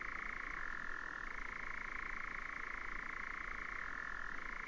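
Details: Nightjar from 2019 giving an unbroken, rapid, rattling churr throughout, shifting between two slightly different pitches every couple of seconds, with no other clear sounds.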